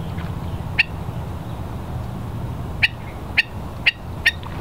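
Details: Hawaiian stilts, ae'o, at West Loch Shoreline Park, Pearl Harbor, Oahu, low tide, March 16, 2013; one sharp kek, a two-second pause, then four more barking notes in a quickening row over light wind.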